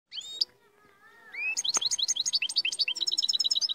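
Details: Moroccan royal goldfinch singing: a few high rising whistles, a short pause, then a rapid run of twittering, tinkling notes repeated about three times a second.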